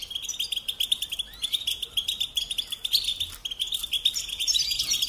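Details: Goldfinch song as a continuous run of quick, high, tinkling chirps and trills without a break, layered over a constant shrill chorus of other small birds.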